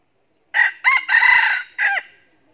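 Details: Red junglefowl, lured by a decoy hen, crows in a hoarse four-part pattern: short opening bursts, a long steady grating stretch, and a falling closing note that fades out.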